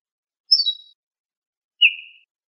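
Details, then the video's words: Ortolan bunting, known locally as al-bouh, from a birdsong CD: two short clear phrases, a high quick descending note cluster followed after a pause by a lower buzzy slurred note, on a silent background. "طائر درسة الشعير(البوح)Bruant Ortolan"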